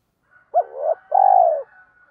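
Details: {'caption': 'Decoy spotted dove cooing to call and lure wild doves: a short rising-falling note, a brief gap, then a longer, steady, slightly buzzy coo that tails off downward.'}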